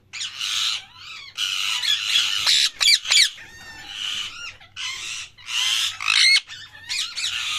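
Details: Nearly continuous loud parrot calling: dense raspy screams with sharp squawks and short rising notes, barely pausing across the clip.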